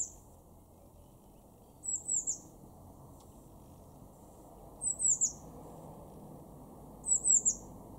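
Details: Blue tit, a garden bird in Weener, East Frisia, far northwest Germany, March 2024: very high, thin notes in quick clusters of two or three, three bursts spaced a few seconds apart, over a steady low background rumble.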